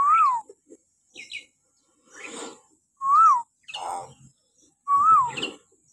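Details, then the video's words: Common hill myna in a morning recording used to train captive birds: loud arched whistles about every two and a half seconds, alternating with harsh, noisy squawks and short clicks. "suara burung beo melengking"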